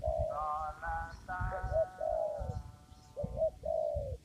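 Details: Spotted dove in a papaya garden, lured for trapping; rhythmic low coos in a short-short-long pattern beneath stacked higher harmonic tones, with steady low background noise.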